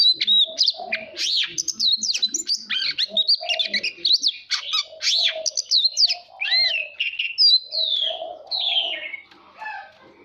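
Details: Long contest song of an oriental magpie-robin, a kept bird excited into singing: rapid bursts of whistled and warbled notes with rising and falling slurs, fading toward the end.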